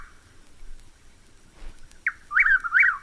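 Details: One full Chuck-will's-widow phrase near the end after a quiet pause: a brief clipped opening note followed by two loud, swooping whistled syllables, rising then dropping.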